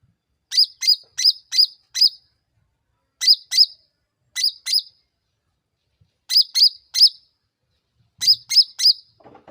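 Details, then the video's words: Sooty-headed bulbul calling to provoke a fast reply from other birds. Bursts of two to five sharp, twisting chirps are separated by short pauses, and a faint low rustle comes near the end. "SUARA CUCAK RANTING MEMANCING NGOTOT PALING CEPAT NYAUT"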